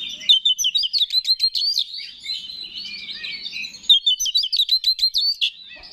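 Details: Oriental magpie-robin (kacer) in energetic 'gacor' song used to excite other kacer: two long runs of rapid, rhythmic sharp notes separated by a softer, continuous warble.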